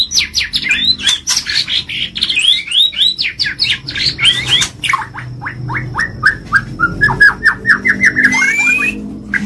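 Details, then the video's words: White-rumped shama, a champion-grade songbird, in a long accelerating series of sharp, clipped downward notes, first high and then lower, ending in a fluttering trill. "Materi sang juara || Murai batu Istimewa Gacor"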